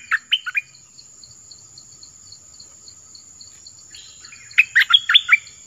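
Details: Orange-headed thrush from the south, its song used to lure wild birds and train young ones: a short burst of three whistled notes, a long quiet stretch, then a quick tumbling phrase of varied whistles.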